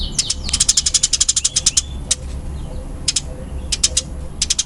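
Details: Eurasian tree sparrow, fighting type known as burung gereja tarung, delivering a quick, tightly packed string of dry high chirps, then shorter clusters after a gap, over a faint low hum.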